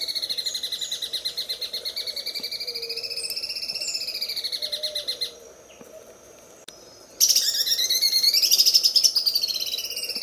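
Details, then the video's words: Sewing-machine style song of a greater green leafbird, used to train other birds: a fast, even, machine-like rattle of rich harmonic notes gently rising and falling for five seconds, a brief gap, then a louder, denser stretch. "MASTERAN CUCAK IJO SUARA MESIN JAHIT"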